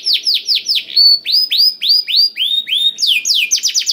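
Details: Canary lure song meant to make quiet canaries sing along: clear downward-curving whistled notes in even runs at several pitch steps, ending in a quick high rising burst.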